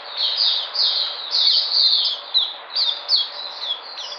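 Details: White-eye regaining its energy, 13 February 2020: a bright, rapid stream of high slurred chirps, the notes running together into a lively unbroken warble.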